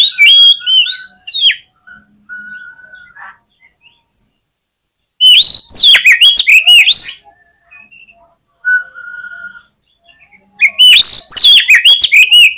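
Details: Kacer (Oriental magpie-robin) in full fighting song to provoke rival birds: three loud bouts of fast rising and falling whistled notes and rich chatter, separated by quieter steady whistled tones and short pauses.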